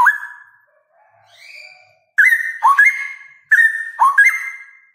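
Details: Male straw-headed bulbul (cucak rowo) giving a loud ropel-style song: a softer opening whistle, then two bursts of rich, liquid whistled notes that dip and sharply rise, repeated about a second and a half apart.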